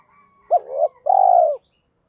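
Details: Spotted dove coo meant to attract other doves. A sharp upslurred note runs into a wavering hum, then a long, even coo falling gently at the end. A faint thin tone sits beneath.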